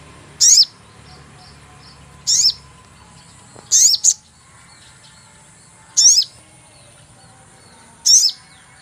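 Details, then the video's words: Sogon bird lure sound: high, sharp falling 'cuit' chirps spaced about two seconds apart, one given as a quick double note, with faint softer high notes and background hiss between them. "cuit cuit pancingan burung sogon"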